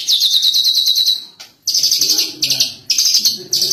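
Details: Lovebird singing cililin-style filler phrases learned from recorded master birds: rapid high chattering trills in bursts of about a second, broken by brief pauses, with faint low background noise.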